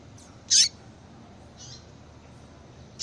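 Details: Female Yellow-bellied Seedeater calling to stimulate a male into breeding condition: one abrupt high chip near the start, a faint softer note after it, and another chip cut off at the end.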